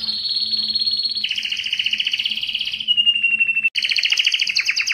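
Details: Belgian canary song aimed at rousing females for mating: a steady high rolling trill, lower buzzy rattles, a smooth falling whistle, then rapid loud pulsed trills in two pitch bands.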